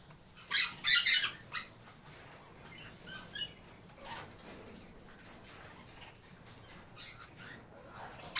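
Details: Black-capped conure (Pyrrhura rupicola) giving harsh, scratchy squawks, loudest in a quick burst of three near the start, then softer chattering notes at irregular intervals.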